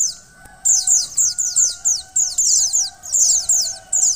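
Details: Female mountain white-eye calling to stimulate and excite the male into singing: bursts of rapid, very high, thin descending chips repeated in quick runs, over a steady faint tonal hum.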